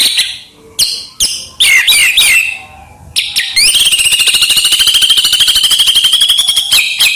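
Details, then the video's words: White-rumped shama singing as a training lure: scattered sharp calls and short whistled phrases, followed by a long, even, rapidly pulsed trill lasting about three seconds. "SUARA MURAI BATU GACOR UNTUK PANCINGAN BURUNG"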